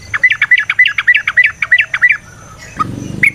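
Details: Sooty-headed bulbul (trucukan) lure song to set other bulbuls singing: a run of about ten repeated chirping, rising-falling notes at a steady quick pace, followed by a couple of scattered notes.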